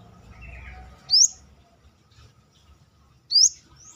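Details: Brown-throated sunbird, locally Kolibri kelapa or Manggar, calling actively outside its cage. Two sharp, very high, upslurred notes about two seconds apart, with faint low background murmur.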